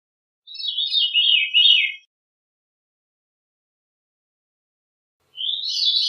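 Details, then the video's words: Veery singing a descending, spiralling fluty phrase of about one and a half seconds. A long silence follows, then another phrase begins, higher and rising. Background is clean. "Veery Bird Song, Sound, Call, Chirp, Melody - Zorzalito Rojizo Canto - Catharus Fuscescens"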